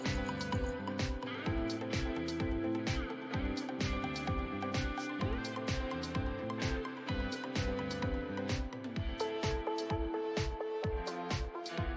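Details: Upbeat electronic dance music with a steady thumping beat fills the whole clip, with no animal calls audible.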